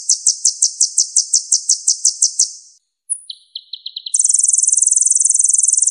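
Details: Purple-throated sunbird, locally named kolibri ninja, with a run of about a dozen sharp high notes, a thin whistle, a few lower quick chips, then a dense, continuous buzzing trill.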